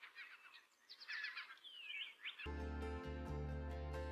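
A Song Sparrow sings a quick run of bright chips, trilled notes and a sliding whistle for about two seconds, then background music takes over.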